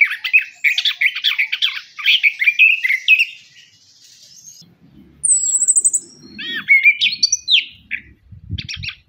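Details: Orange-headed thrush song used as a lure for reluctant singers: fast tumbling chattery and whistled phrases for about three seconds, a quiet gap, then thin high trilled notes and bright slurred whistles with faint low rustling.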